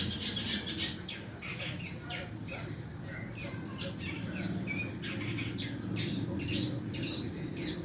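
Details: Long-tailed shrike learning its song: scattered sharp, scratchy notes and brief clicks, some higher-pitched squeaks, given in an uneven rhythm with light background noise.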